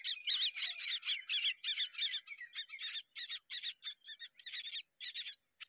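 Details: Baby mynas in the nest calling while their mother feeds them: a fast series of squeaky, wavering high notes with harsh raspy overtones, repeated in quick pulses.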